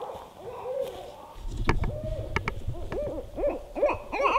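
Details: Pair of barred owls calling at night in north central Kansas, possibly mating; a slow start of soft hoots, then sharp clicks and low rumbling noise, followed by a run of looping, wavering hoots growing louder.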